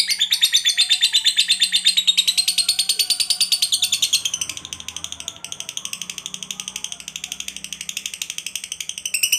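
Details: Lovebird fighter in long 'ngekek panjang' trilling, used to draw song from other lovebirds. A continuous high rattling trill that shifts slightly in pitch and softens midway, with faint low hum beneath.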